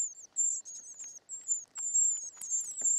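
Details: In the nest, fed short-toed treecreeper chicks give very high, quavering, thin whistles, rising and falling slightly, nearly continuous, with light taps and rustles.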